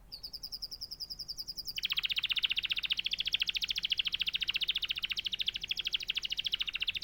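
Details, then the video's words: Canary song opening with a high rapid trill, then a long loud rolling rattle of evenly repeated notes sustained for over five seconds. "natural canary chirping sound"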